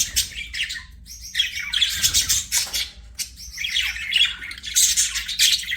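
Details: Budgerigar chirping with scratchy warbling chatter and a few sharper rising and falling notes, delivered in uneven bursts over a quiet low hum.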